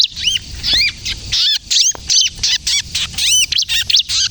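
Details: Vigorous bar-winged prinia song in the kejepit style, used to lure birds and to train untrained prinias to sing: clipped high arched notes in bursts of two to four, evenly spaced, with crisp overtones.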